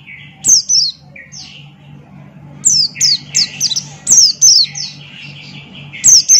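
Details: Male Buxton's white-eye in 'ngalas' song: clustered high, sharp, falling chirps alternating with softer lower trills, delivered in energetic bursts separated by short pauses, over a steady low hum.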